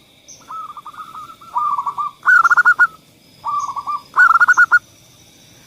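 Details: Zebra dove singing as a lure for reluctant singers: runs of soft cooing notes that build into louder, rapidly pulsed phrases, repeated about every two seconds, with a constant faint high whine behind.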